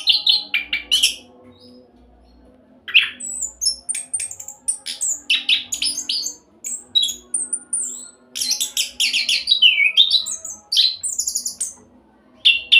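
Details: Long burst of fast rolling song from an orange-headed thrush, played to coax other birds into singing: varied whistles, high squeaky notes and mimic-like phrases, pausing briefly before surging again.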